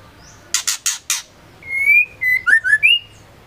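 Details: Female white-rumped shama, a caller used to stir males into song, producing four quick harsh rasps, then a drawn-out rising whistle and a run of short sliding whistled notes.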